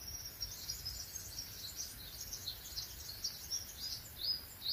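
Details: Spring birdsong in a quiet pine forest: a dense, continuous band of high, thin chirps and twitters from several birds, with brighter accented notes toward the end, over a soft low rumble.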